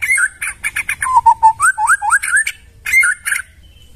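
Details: Forest white-rumped shama in a short tutor phrase: quick high chips, then a string of low, level whistles followed by rising slurred notes, ending with a brief burst of chattering after a short pause.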